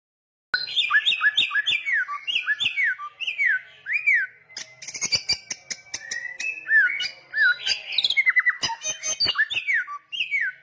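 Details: Samyong songbird singing energetically, persistent and loud: a rapid run of clear whistled notes, each sliding down then up, with sharp clicks and ticks mixed in. The notes are delivered almost without pause.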